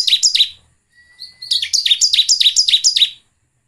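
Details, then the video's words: Bar-winged prinia song used as a lure to get caged birds singing: two bursts of sharp, high, buzzy downslurred chirps, rapidly repeated about three to four per second, separated by a short pause with a thin steady tone. "PANCINGAN CIBLEK agar gacor dan nembak."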